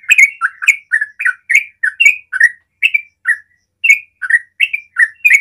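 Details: Sooty-headed bulbul in full 'ropel' song, used to provoke other bulbuls into singing: fast continuous run of bubbly, liquid two-part notes, each dipping then rising, about three per second with a brief pause near the middle.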